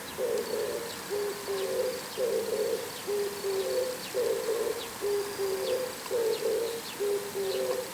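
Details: Oriental turtle dove on a house antenna in the morning, giving a long run of deep, breathy coos in repeated four-note phrases, rough and smooth notes alternating; faint high bird chirps sound behind it.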